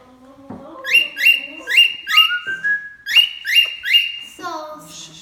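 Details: A young pet cockatiel, still learning to sing, whistles the Addams Family theme in clear, bright, repeated phrases.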